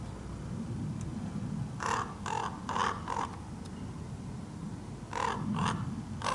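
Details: Large male common raven giving two bursts of four rapid, coarse clacking calls separated by a pause, with low rumbling background noise.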